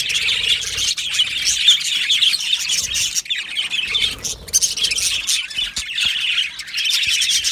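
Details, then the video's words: Aviary flock of Australian budgies chattering in high warbled chirps, the din briefly dipping around the third and fifth seconds before swelling again. "Australian Budgie parrot sounds | Budgie parrot chirping sounds"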